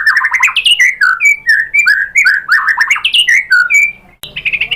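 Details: White-rumped shama lure song, used to get other shamas answering and singing in Indonesia: loud, rapid, mellow whistled notes, many of them slurred downward, then a brief cut and more high notes.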